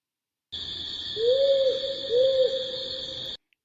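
Powerful Owl male giving a deep, slow two-note whoo-hoo, the notes evenly pitched about a second apart, with a steady electrical hum underneath.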